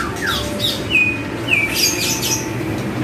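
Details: White-rumped shama (murai batu) song for training kept songbirds: a few short, thin whistles, one falling and two flat level notes, then high faint twitters, against a low background hum.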